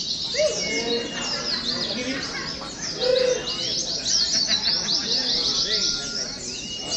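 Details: Oriental white-eye chorus from a contest-simulation training recording: an unbroken band of shrill, quick chirping trills, with lower rounded notes and a brief louder burst near the middle.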